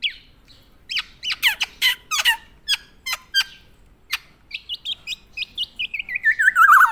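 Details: Vocal tame black-naped oriole of Java: quick series of sharp chirps and clicks, then a run of short repeated notes stepping steadily downward in pitch and growing louder.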